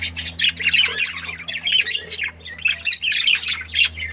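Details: Budgerigars, described as happy, chattering nonstop with rapid high chirps, squeaks and short warbled notes tumbling over one another, a faint low hum underneath.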